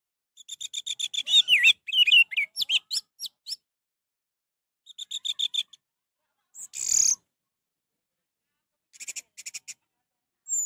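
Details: Orange-headed thrush song played to coax a thrush that will not sing: bursts of high, varied whistled and chattering notes, including rapid rising and falling slurs, separated by short pauses.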